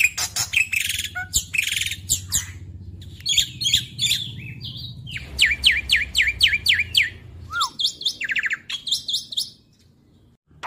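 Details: Rapid gacor singing from a young Black-winged Starling: bursts of shrill chirps and buzzy trills, then a clean series of repeated whistled strokes, fading out near the end over a low background hum.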